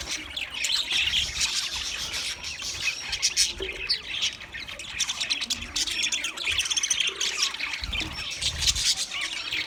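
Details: Squawking green budgerigars keep up a nonstop mix of scratchy chirps, grating squawks and short warbles for nearly ten seconds, with a few low knocks in the background.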